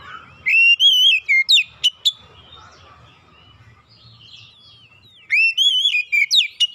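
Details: Oriental magpie-robin (kacer) song used as therapy to get silent birds singing: loud, clear whistled phrase rising then falling, with sharp high notes, repeated after a pause of about four seconds. A faint low hum sits underneath.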